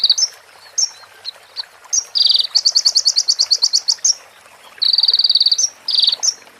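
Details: ['Sunbird singing in a training recording that includes prinia-style phrases: scattered high chips, a loud buzzy note, a rapid ticking trill, then another dense buzzy run and chips.']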